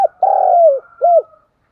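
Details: Decoy spotted dove cooing to draw in wild birds: one long, steady, burred coo that slides slightly down, followed by a short arched coo note, then silence; clean recording with no other sounds.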